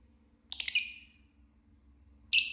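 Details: Lovebird chirping: a rapid cluster of three or four sharp, harsh, high chirps, then silence and another abrupt squawky chirp, with a faint low hum underneath.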